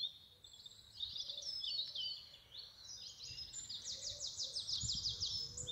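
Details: Several songbirds singing in spring in England give high, bright song of quick twittering phrases and rapid trills that overlap, over a faint low rumble of background noise.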